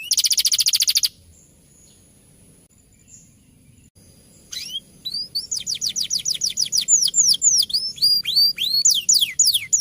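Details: Champion canary tutor song: a brief fast trill, then near silence for several seconds, before a quickening series of high downward and arching whistles fills the rest.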